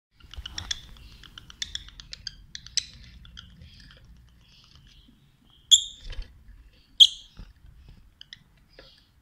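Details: Masked lovebirds during a mating attempt: soft, high clicks and twitters, then two sharp, shrill chirps about a second apart, with a faint low rumble under the opening seconds.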